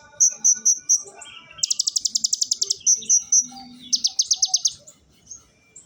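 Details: Oriental magpie-robin singing in the 'tembakan ciblek' style: high clear notes repeated four times, then a rapid machine-gun burst of sharp notes, more clear notes, and a second fast rattling burst before a soft ending.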